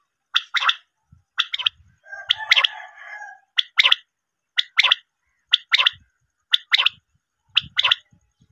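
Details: Female common quail call used as a hunting lure: short, sharp, doubled notes about once a second, broken by a longer harsh, rasping burst.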